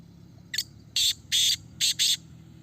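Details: A caged black francolin giving a loud, harsh call of five rasping, grating notes in quick rhythm over about two seconds. A faint low hum runs underneath.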